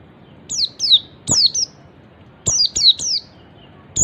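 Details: Oriental white-eye ngalas call, meant to set other white-eyes calling too: rapid runs of high, thin notes, each sliding steeply down, given two or three at a time in quick succession, loud and clear.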